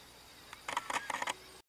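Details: A Rufous-capped antshrike in Ceibas, Entre Ríos, Argentina, on 19 October 2019, vocalizing at length, gives a quick run of about six harsh, nasal notes in under a second, over a faint background hiss.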